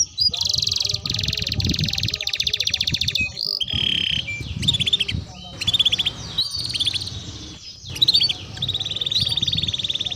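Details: Canary song meant as a lure to stimulate canaries: extended fast trills and rattles alternating with sweeping notes and chirp bursts, with a low background rumble throughout.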